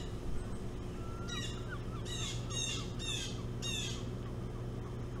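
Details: Merlin from a pair nesting on Hog Island, calling while buzzing a person near its nest on 25 July 2017: about four harsh, laughing chattered bursts with sliding harmonics, a faint whistled note before them, over a steady low engine-like hum.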